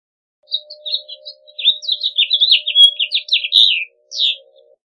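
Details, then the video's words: Haemorhous mexicanus, the house finch, gives scattered chirps that build into a rich twittering warble with a brief buzzy note, then a final slurred phrase; a soft steady tone hums underneath. "Pinzón Mexicano / Carpodaco Canto! Llamado! Cantando! - House Finch Song - Haemorhous Mexicanus"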